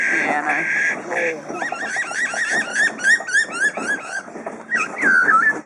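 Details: Captive superb lyrebird at Adelaide Zoo, famous for mimicry, reeling off imitations of drill, saw, hammer, kookaburra, magpies, whipbird, magpie-lark and lorikeets; a run of repeated tonal whistled phrases with harsh buzzy notes, mixed with people talking.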